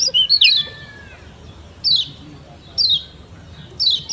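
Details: Lombok white-eye, known locally as kecial kuning, giving training lure song: an opening cluster of high twittered notes followed by single steeply falling chirps repeated about once a second.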